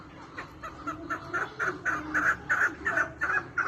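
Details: Captive maskati chukar partridges from a breeding flock of seventy-five call in rhythmic clucking notes, roughly three each second, building from quiet to loud and harsh across the clip.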